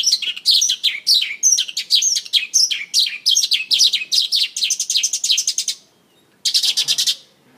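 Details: Singing and dancing on stage, a Mongolian lark pours out a rapid string of high downslurred chirps for about six seconds, then a short gap and a final buzzy, rattled burst.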